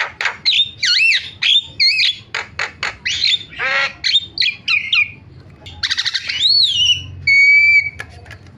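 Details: Starling (jalak) lure calls meant to set other starlings calling: loud looping whistles and harsh squawks in short bursts, then a rattling chatter, ending with long steady whistled notes held about a second each.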